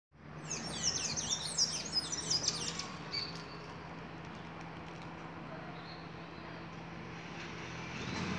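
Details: A Blue-gray tanager singing: a quick burst of high, squeaky, twittering notes for about two seconds, then steady background hiss and low hum take over.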